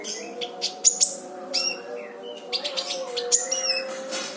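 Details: Brown-throated sunbird recording made to train other songbirds. Sharp high chirps and short descending trill bursts come at irregular intervals over a steady low humming drone.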